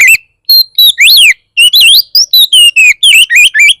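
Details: Oriental magpie-robin song meant to make other magpie-robins respond and start singing: a fast, loud run of varied whistles, sweeping arches, dips and rising slurs, with brief gaps between phrases and no other sounds.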